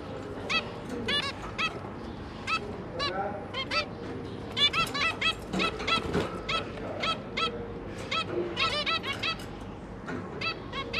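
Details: Zebra finch pair and their three juveniles, the parents busy feeding the young, give short, nasal, toy-trumpet calls in quick, overlapping bursts, several each second, over a low background hum.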